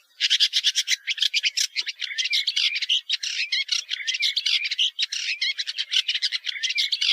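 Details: Woodchat shrike song: a dense, continuous run of harsh, scratchy and chattering notes mixed with short whistles, delivered rapidly without pause for about seven seconds, with no other sounds.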